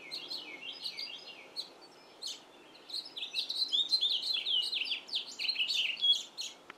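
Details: Male house finch singing in a yard, a long warbled song of quick varied notes, slurred chirps and twittering phrases running almost continuously, bright and high, with other wild birds seeming to join in the chorus.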